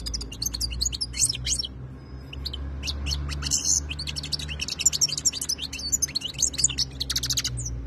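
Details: European goldfinch, described as khalawi (wild type), recorded in 2022, singing a fast, liquid twittering song of tinkling notes and buzzy trills throughout, over a steady low hum.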